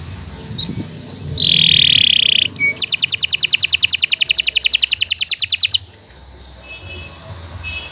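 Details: Canary singing as a tutor bird: a raspy buzz, then a fast even trill of repeated notes lasting about three seconds, with faint background noise before and after.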